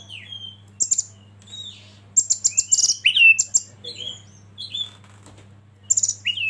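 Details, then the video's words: Oriental magpie-robin master song meant to stir others to sing: scattered bright whistled notes and clicky high chips in short bursts separated by gaps, with one louder slurred whistle near the middle; a low electrical-style hum runs beneath. "Masteran KACER Pancing Emosi dan bikin gacor yg lain"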